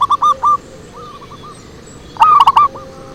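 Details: Lure song of zebra doves, softer quick coo notes from a distant bird, a quiet gap, then a loud close run of rapid ringing notes ending in a single trailing coo.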